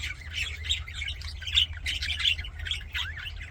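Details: Cheerful budgie chatter: bursts of squeaky chirps and brief twittering phrases arriving irregularly, about one and a half per second, over a low droning hum.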